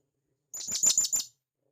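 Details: Wild blue-crowned hanging parrot from the forest calling to its companions: a single quick burst of five shrill, very high, sharp notes in under a second, with otherwise clean silence.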